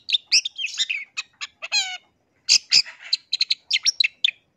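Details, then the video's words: Lure song of a Long-tailed shrike, aimed at provoking rival shrikes to call: scratchy chattering notes, a harsh rasping harmonic burst, then pauses and quick clipped chips in uneven groups. "SUARA Pancingan Pentet GACOR"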